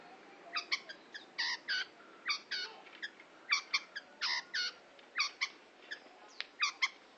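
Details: Long-tailed shrike song: short harsh notes with stacked harmonics, given in quick bursts of two or three, repeating irregularly through the clip over a faint steady hiss.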